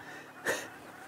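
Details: African grey hornbill at sunrise, 1 June 2016 (winter), Sabi Sand, South Africa: single short, plaintive whistled note, first mistaken for a magpie shrike, over a faint, quiet winter dawn chorus.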